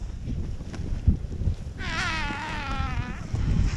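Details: Vultures, possibly lappet-faced, squabble with a marabou stork over a wildebeest carcass near Maasai Mara, Kenya. One vulture gives a wavering, quavering squeal of about 1.5 seconds over steady low wind rumble and faint knocks.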